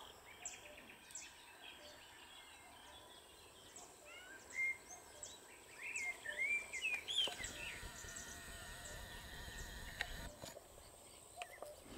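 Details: European bee-eaters at Izliv Soče nature reserve on 1 June 2023 give a few short, liquid rolling notes over a busy background of other birds, a steady high insect hiss and breezy outdoor noise.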